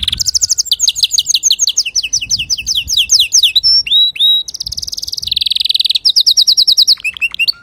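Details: Clear male canary song, used to tutor young canaries: varied tours of rapid chirped notes, sliding whistles, and a steady buzzy roll, delivered loud and almost without pause.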